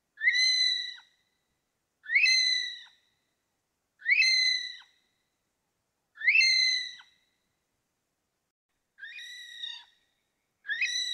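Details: Okarito kiwi repeating a high, steady whistle about every two seconds: six notes with rising starts and level bodies, the fifth noticeably softer after a longer gap; nothing else audible.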